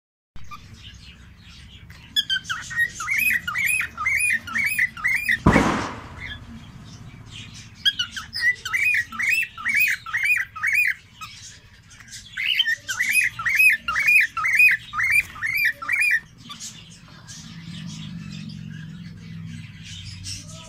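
A cockatiel whistles in quick runs of short, arched, clear notes, repeated in bursts.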